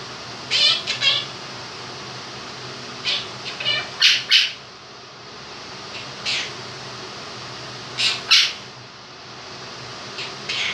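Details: Two-year-old male pet Quaker parrot indoors, singing his own version of 'If You're Happy and You Know It', with bright, raspy high syllables in short clusters over the steady hum of an electric fan.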